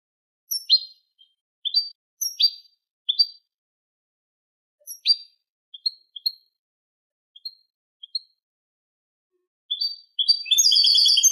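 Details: Eurasian goldfinch, Malaga-style tutoring song for teaching goldfinch chicks and hybrids; scattered short high chirps and twittering notes in small clusters with pauses, ending in a denser burst of harsh high notes.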